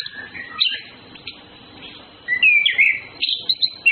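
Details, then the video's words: Courting male and female Orange-headed thrushes: a quiet stretch with one short whistle, then a burst of bright, slurred, rising and falling whistled notes and quick twitters toward the end. "Birds Anis Kembang flirting Males Females birds"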